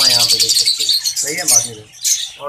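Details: A colony of Fischer's lovebirds keeps up a shrill, high-pitched chatter of rapid squeaky chirps, with a man's voice speaking over them.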